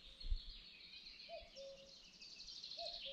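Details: Common cuckoo at the river Oberoste giving two soft two-note cu-ckoo calls, the second about one and a half seconds after the first, with busy high songbird chatter and low rumbling background noise.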